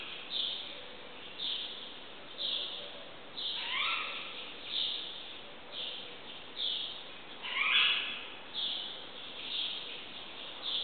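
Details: Birds singing at dawn, around 5am, in a riad courtyard in Marrakech: a high note repeated about once a second, twice joined by a brighter call sweeping downward.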